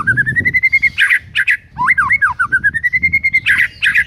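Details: White-rumped shama song recorded in the morning as a master recording to provoke rival birds: a long run of rapidly repeated whistled notes slowly rising, broken by sharp harsh bursts and a few looping whistled phrases.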